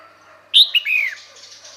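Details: Female red-whiskered bulbul giving its call to bring males near: a sharp high note, a quick chip, then a drawn-out downward-arching slurred whistle, with soft hiss after.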